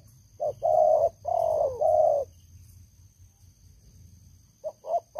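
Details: Spotted dove kept as an old trapping decoy, noted for its loud voice. A short note, then two long husky coos sliding slightly downward, followed by a pause and a pair of quick clipped notes.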